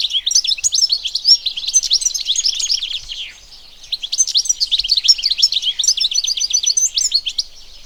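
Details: Wild European goldfinch, known locally as Arus al-Turkman and Taqtaq Shawk, singing a dense, fast jumble of bright twittering and tinkling notes, pausing briefly near the middle before resuming its bubbling, canary-like warble.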